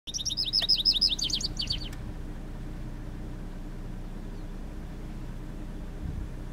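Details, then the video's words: A Vesper sparrow sings near the Caledonia-Elmsthorpe PFRA Community Pasture, SW of Milestone, Saskatchewan, Canada, on June 3, 2014: a quick burst of high, sweet trilled notes lasting about two seconds, then quiet, over low traffic rumble. "Vesper Sparrow Song"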